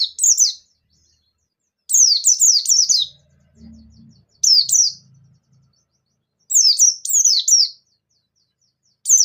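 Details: High, thin 'ngalas nembak' song of a Bustomi white-eye, played to trigger singing in other white-eyes: regular clusters of four or five steeply falling, sharp chirps every two to three seconds, with a faint low rumble once.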